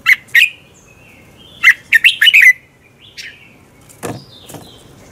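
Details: Red-whiskered bulbul competition song at morning, for training birds to sing: a two-note chirp, then a quick jaunty phrase of four or five whistles, followed by soft notes and a single sharp click.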